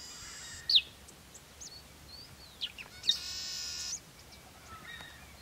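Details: Yellow-winged Blackbird (Agelasticus thilius) calling: sharp, high, slurred chirps scattered across the clip, then one loud buzzy, harsh trill lasting about a second, over a steady background hiss.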